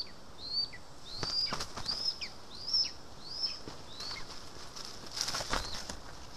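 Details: Lesser spotted eagle at its nest in Estonia on 2 August 2020, during a day of vole feeding: high, thin whistled upslurred notes repeated about once a second, with wing flaps and rustling.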